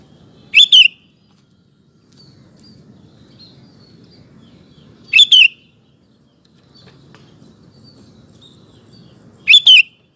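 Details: Lure song of a sooty-headed bulbul meant to make other males sing: three short, bright two-part phrases spaced about four and a half seconds apart, separated by quiet low background murmur.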